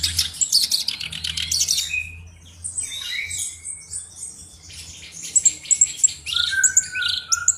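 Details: Black-browed reed warbler tutor bird singing: an opening burst of dry buzzy rattles, then a quieter stretch of scattered squeaky notes and thin high chips, ending in short whistled slurs.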